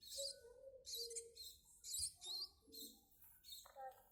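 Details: Munia chicks being hand-fed, giving high, scratchy chirping bursts repeated about once a second, with a lower tonal voice and soft human sounds in between.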